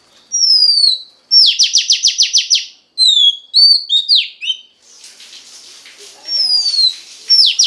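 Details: Song of a female Oriental magpie-robin aimed at stirring a male: a falling whistle, a fast train of about eight buzzy repeated notes, more twisting whistles, then soft chatter and a final whistle with a rasping note.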